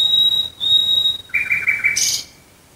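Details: Nightingale near Dresden singing at night: a long, pure, steady whistle held for over a second, a brief pause, then a churring run of lower notes closing with a sharp burst.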